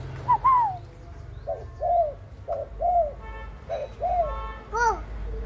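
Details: Dove of the 'cu thái' type giving 'gù khách' cooing: a rising opening coo, then a string of short rounded hoots at irregular intervals, over a low background hum with a brief buzzy burst near the end.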